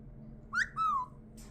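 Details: Pet caique parrot, a male adopted into a home, giving two short whistled notes with bright overtones: a quick rising note, then a longer note that slides gently downward. A brief noisy burst follows over a low indoor hum.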